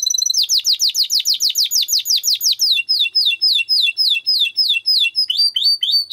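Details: Canary of the Timbrado breed singing a training song: a quick run of repeated downslurred notes, about three per second at first, then softer rolling tours continuing steadily.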